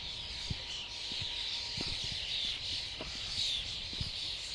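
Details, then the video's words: A flock of common starlings gives a dense, continuous wash of high chattering and squeaky whistles, with scattered low thumps and clicks underneath. "Flock of starlings/ Stado szpaków/ Ein Schwarm Stare"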